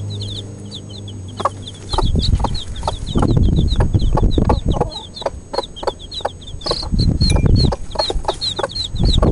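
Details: Four-day-old Cuckoo Marans chicks give a constant stream of high, thin, short peeps, many overlapping in quick succession, while low thumping and rustling bursts of handling or movement noise run underneath throughout.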